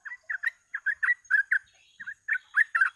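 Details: Sooty-headed bulbul in gacor ropel singing meant to draw birds in for catching: short runs of liquid, bubbly notes in pairs and triplets, a brief lull in the middle, then more rapid chirps.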